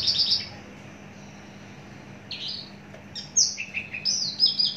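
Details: Long-kept adult Javan bush lark in captivity, a big-bodied bird, giving high thin notes, then a run of sharp falling whistles and chips, with background hum.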